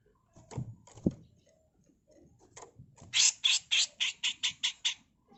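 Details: Harsh tutor song of a female grey-cheeked bulbul: after a few soft scattered notes, a rapid run of about nine loud, buzzy, rasping notes fires off at a steady, quick pace.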